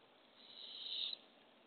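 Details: At a Barred owl nest box in the early morning, as the female brings a baby opossum to the owlets, a single rising, breathy hiss swells for about a second and then cuts off.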